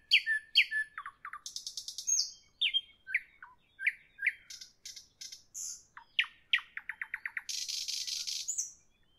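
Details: Varied nightingale song at evening, rapid changing phrases: falling whistles, quick rattling bursts, looping chirps, a stuttering run of short notes and a loud high buzzy trill near the end.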